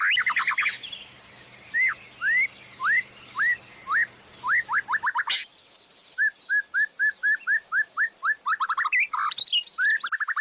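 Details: Murai batu, the white-rumped shama, in a training master recording with fillers and 'tembakan' shots: repeated rising whistled notes about twice a second, high trills, then a steady run of short upswept whistles.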